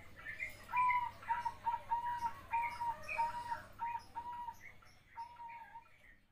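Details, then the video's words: Young zebra dove of katuranggan type singing melodiously: a series of soft cooing notes held near one pitch, about nine phrases in six seconds, with faint chirps of other birds and low background hum. "perkutut anakan katuranggan bersuara merdu"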